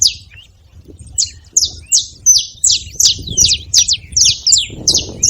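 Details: Wild saffron finches, free-living at a feeding spot, calling noisily: bright high chirps sweeping downward, repeated about three per second in a busy run, with faint low rumble beneath.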